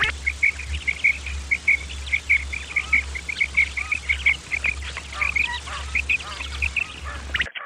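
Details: Common quail, male and female calls used as a hunting lure: bright clipped notes in quick pairs and triplets, repeated steadily, over a constant low hum and faint background hiss.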